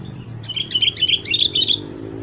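A Sooty-headed Bulbul gives a quick, bubbly run of bright chirping notes for just over a second, over a steady faint high whine and low hum.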